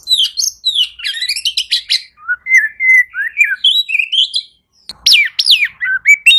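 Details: Oriental magpie-robin, a caged songbird, singing as a lure for birds that have stopped singing: dense rapid twitters, then a string of clear whistled phrases, a brief pause, and strong swooping notes.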